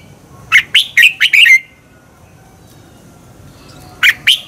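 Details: Red-whiskered bulbul singing to stimulate other birds into competitive song; two short phrases of four to five loud, warbling, slurred whistled notes, each phrase about a second long, separated by a pause of over two seconds.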